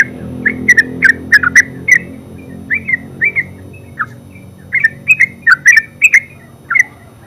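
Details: Terucuk, or yellow-vented bulbul, singing ngeropel style: bubbly clusters of quick chirps, a slower middle stretch of single slurred notes, then livelier paired phrases, over a low humming background.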